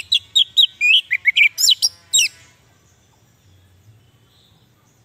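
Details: Orange-headed thrush song, used as a lure and training recording for captive birds that have stopped singing: a quick run of sharp, varied whistled and chirping notes over about two seconds, with rising and falling slurs, then quiet.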